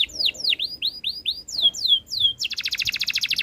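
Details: Canary delivering a row of clear, falling whistled slurs, about four per second, that bend into upswept notes, then breaking into a very fast, even, high rattling trill.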